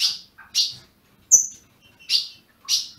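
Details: A few well-spaced loud chirps from a captive-bred ultramarine grosbeak in Brazil, with a single thin, high, drawn-out whistle between them.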